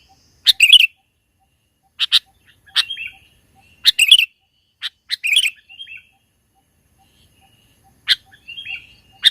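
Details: Sooty-headed bulbul in the mountains, a lively singer used as a trapping lure: irregular bursts of quick chirpy warbling phrases every one to two seconds, mixed with short slurred whistles, in a quiet setting.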